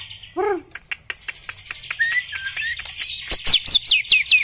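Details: Black-legged white-rumped shama singing: a low, descending harmonic note, then a run of sharp clicks, clear whistles sliding around mid pitch, and finally rapid, high, ringing whistled phrases that repeat quickly.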